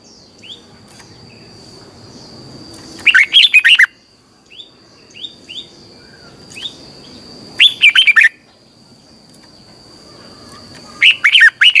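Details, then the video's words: Red-whiskered bulbul morning song in the twisting double-voice style, used to train and excite caged birds: three loud warbled phrases about four seconds apart, each a rapid string of rolling whistles, with short rising chirps and a thin steady high tone between. "Luyện chào mào hót sáng, hót hay - Giọng kép xoắn tít, kích chim căng, luyện chào mào hót"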